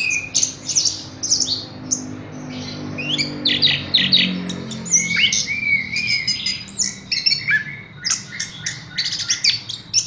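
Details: A Horsfield's bush lark delivers busy, scratchy high chatter mixed with harsh squawk-like notes and short whistles, bursts of song repeated with few gaps over faint low hum.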